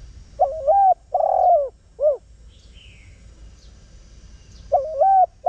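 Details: Lure spotted dove coos a three-note phrase, a rising hooked coo, long rolling coo and short final note, then begins again after about three seconds; a faint thin whistle from another bird sounds in the pause.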